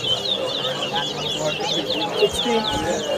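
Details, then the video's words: Towa towa (chestnut-bellied seed finch) in a bird whistling competition at Lusignan bird ground, Guyana, 2023: rapid, bright whistled notes with looping upslurs, repeated about three times a second, over a crowd of voices talking. "TOWA TOWA BIRD WHISTLING COMPETITION"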